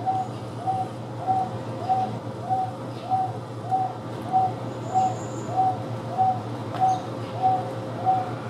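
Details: Wonga pigeon in captivity at the Houston Zoo with Taveta weavers: a long, very regular series of fourteen mid-pitched coos, one roughly every 0.6 seconds, over a continuous low hum and occasional faint high chirps.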